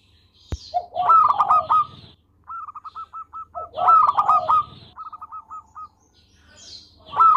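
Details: Melodious local zebra dove in full song, kept for tutoring other birds: two bursts of rapid stuttering coos, each trailed by a string of short clipped notes, with a sharp click near the start.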